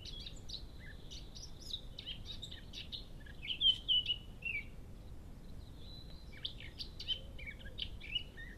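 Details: A Eurasian blackcap near a hedgehog feeding area in Cambridge, UK, on 21 March 2015 at about 6:52 a.m. sings a quick, scratchy warble of high notes that swells midway into a louder, clearer flourish, over a steady low background rumble.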